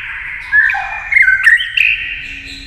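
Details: Singing against a TV, a white-rumped shama gives a short, fast run of mellow whistles with a dipping low note and quick bright flourishes over a steady background tone.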